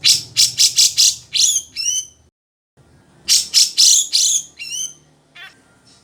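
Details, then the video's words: Singing grey-cheeked bulbul, called cucak jenggot: a fast run of harsh chattering notes ending in descending whistled slurs, a silent break, then another chattering phrase trailing into softer notes. "SUARA BURUNG : Cucak Jenggot Gacor Panjang Mantap untuk MASTERAN"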